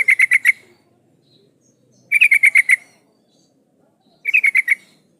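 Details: Sooty-headed bulbul female calling a male as a lure: three short, well-spaced bursts of four to six rapid, bright chattering notes in near silence.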